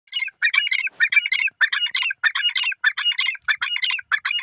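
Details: Wild grey francolin, known locally as teetar, calling in a loud, harsh series of rapid squawking notes, about three every second, sustained throughout without pause.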